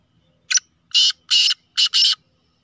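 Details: Harsh grating call of a black francolin (kala teetar), named a speeder chakri wala bird: a short sharp opening note, then three loud rasping syllables, the last two closely paired, all in about two seconds. Nothing else is heard.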